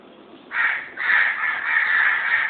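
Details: Two pet lovebirds kept indoors; a harsh, shrill screech bursts out at half a second, pauses briefly, then runs on as a continuous grating call to the end.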